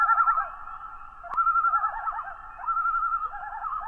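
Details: Common loons (Gavia immer) give quavering, laughter-like tremolos blended with long, mournful wailing notes, the tones wavering and echoing over an otherwise quiet background.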